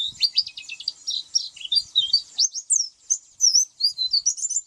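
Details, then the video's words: Oriental white-eye singing a fast, varied twittering song of high, sweet chirps and short slurred whistles in quick bursts with brief pauses, with no other clear sounds. "SUARA kicau pleci"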